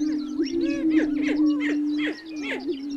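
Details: Black grouse song with a continuous low hum, overlapped by quick bubbling and rolling notes that come several times a second, with a few hissing sounds above.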